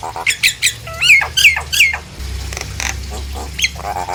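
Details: Nias hill myna lure song aimed at stirring other hill mynas to call; clipped squawks and looping shrill notes, later softer nasal buzzes over a low rumble.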